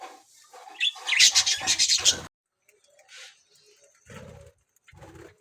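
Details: Budgerigars kept in cages in an aviary, playing, singing and eating: a loud two-second burst of dense, harsh chirping chatter, then quieter scattered chirps and low handling thumps.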